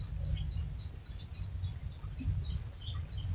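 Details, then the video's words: Rolling canary song used as a lure for other canaries: a run of rapid, downward-sweeping chirps repeated about three times a second, fading into softer notes, over a low background drone. "Suara Burung Kenari Gacor Panjang cuit cuit Ngerol untuk Pancingan Kenari"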